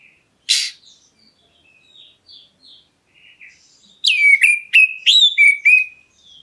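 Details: Black-breasted Oriental magpie-robin, calling to make other birds answer; one harsh rasping note, a stretch of soft faint twitters, then five loud quick whistles that drop sharply and flatten out.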